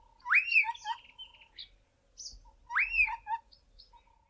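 A young Southern Boubou gives two rambling phrases two seconds apart, each built around a loud arched whistle with scattered chirps and a faint steady tone.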